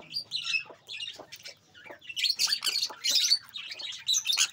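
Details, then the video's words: Healthy, active sun conures give harsh, high squawks and chattering screeches in quick irregular bursts, growing louder and denser toward the end. "Sun conure"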